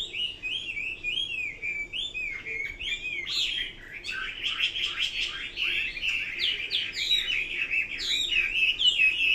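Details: Chinese hwamei singing: a long, varied run of loud whistled phrases, rich slurred notes rising and falling, some repeated motifs and quick trills, continuous and bright throughout.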